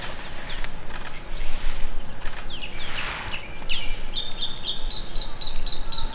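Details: Red crossbill in Bidoup, Vietnam, giving short, sharp downslurred chip notes in loose series, ending in quick clipped repeats, over a steady high-pitched insect drone and faint background hiss.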